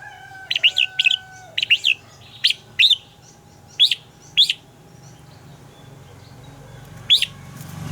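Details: Red-whiskered bulbul morning song, praised as a double-note style for voice training: crisp, sharply rising and falling whistled notes in quick pairs and singles, about a dozen over several seconds, over a faint low hum.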